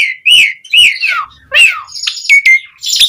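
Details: Asian pied starling song used to trigger singing in starlings: rich warbled whistles that slide up and down, with some shorter sharp notes near the end.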